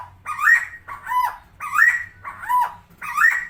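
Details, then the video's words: Tame helmeted friarbird, locally called koak kao, repeats a loud, harsh two-part note five times, about every 0.7 seconds. Each note pairs a rising bray with a lower, falling tail. "KOAK KAO/CUCAK TIMOR (Philemon buceroides) GACOR JINAK + SUARA UNIK"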